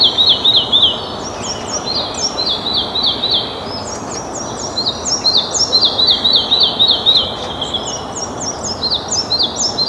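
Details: Red-breasted flycatcher giving repeated series of high, thin, clipped notes in quick bursts, each run stepping slightly downward, over a steady rushing background noise.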